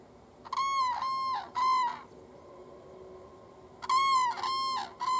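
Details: Two common cranes in a field in southern Sweden on 22 September 2015 give loud, rich bugling trumpets in two bursts of three or four rolling notes, about two seconds apart, before taking off.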